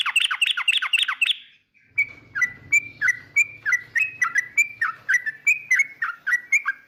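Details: Yellow-vented bulbul singing to rile a rival: a rapid burst of bright chirps, a short gap, then a steady string of slurred, down-then-up whistled notes about three per second over a faint low hum.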